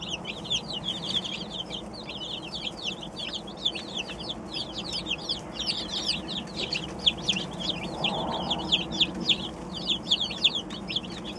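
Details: Twenty-seven baby chickens, just arrived today, fill the air with rapid high-pitched peeps, countless short downward chirps overlapping continuously from many chicks, with a faint low rumble underneath and a few louder individual cheeps standing out near the end.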